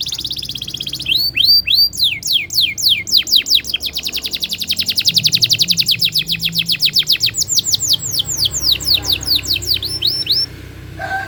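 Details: Rolling canary song meant to set other canaries singing; a long unbroken series of quick descending high notes, steady and fast, ending with a brief lower sound.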